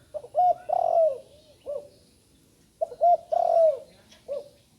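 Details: Juvenile spotted dove newly learning to coo, in poor light: two matching phrases under three seconds apart. Short coos lead into a long descending coo, ending with a separate softer note. Faint hum in the background.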